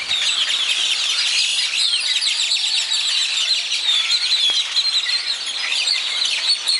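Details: Dawn chorus of many birds at daybreak in Zapotitlan de Mendez, Puebla: a dense, unbroken wash of high chirps, trills and short whistles overlapping throughout, with no single singer standing out.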